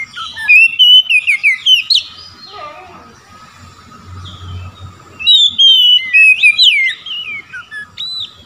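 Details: Oriental magpie-robin in ngeplong song, calling a rival and drawing replies: rapid whistled phrases with quick chirps, a quiet middle stretch with soft low notes, then another loud burst of varied whistles.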